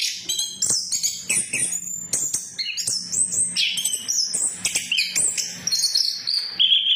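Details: Orange-headed thrush song meant as a lure to prompt other thrushes to sing: dense, rapid run of high whistles and twittering notes jumping between pitches, with a faint low hum underneath.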